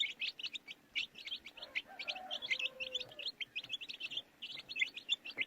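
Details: Young chickens give a busy chorus of piercing little peeps, about three a second, punctuated by a brief lower hum in the middle.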